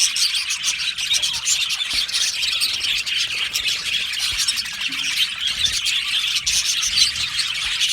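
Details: Australian budgerigars in a colony aviary, singing and chirping together: a dense, unbroken wash of high chirps, twitters and warbles from many birds, with occasional sharper squawks standing out.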